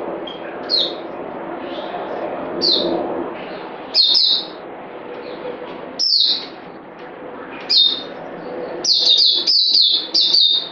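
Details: Separate short whistled notes from a bird come every second or two, then merge into a quick string of falling, bright phrases at the end; a low hum of background noise runs throughout.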